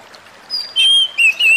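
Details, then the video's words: Oriental magpie-robin (kacer) song, therapy audio for stressed birds: a short bright whistled phrase of three loud notes, the first high, then two lower sustained whistles. "burung kacer lain dengar suwara ini pasti langsung emosi"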